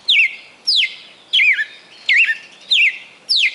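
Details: Red-cowled cardinal, a kept songbird in Fortaleza, Ceará, Brazil, in its 'perfect song' of more than 20 notes: rapid series of ringing whistles, mostly steep downward swoops ending in a short wavering twist, six in under four seconds.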